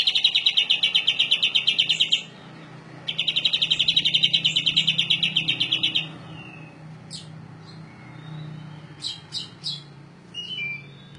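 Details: Rolling canary song for tutoring other birds: two long, loud, rapid trills of evenly repeated notes separated by a short pause, then scattered brief chips and high notes over a low background hum.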